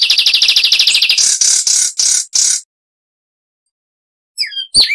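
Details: Cuban Zapata wren giving a rapid, even trill that breaks into several harsh, broad bursts, then falls silent before a few short scattered notes at the end.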